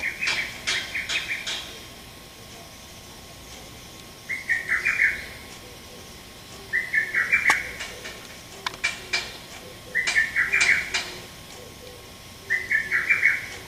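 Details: Sharp calls of a male lesser cuckoo, recorded 30 May 2017: a run of five whistled phrases, each made of several fast staccato notes, spaced about two to three seconds apart, with brief sharp ticks in between.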